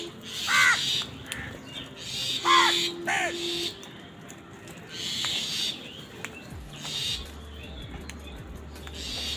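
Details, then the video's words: Crows described as angry and fighting over food while eating; three arched, harmonic, nasal caws in the first few seconds, then quieter background with faint chirps and a steady low hum. "Crow Crowing Sound Effect |Crow Bird Eating Scenes part 91| Sound of Angry Crows"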